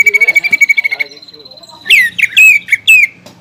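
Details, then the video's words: Greater green leafbird lure song aimed at provoking a rival; a quick pulsing trill fades into a long thin whistle, followed by four loud, sharp downslurred whistled notes. "PANCINGAN CUCAK IJO GACOR FULL BONGKAR ISIAN BIKIN EMOSI CUCAK IJO LAWAN"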